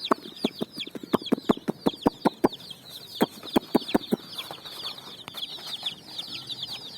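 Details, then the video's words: Many colourful chicks jumping and running on sand in the evening, searching for food: dense high shrill peeping chirps, with sharp clicking and tapping knocks through the first four seconds. "Chicks Chirping"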